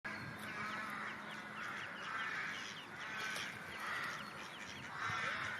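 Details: Wild duck calling, a run of nasal honking notes rising and falling in loudness through the clip, with steady background hiss.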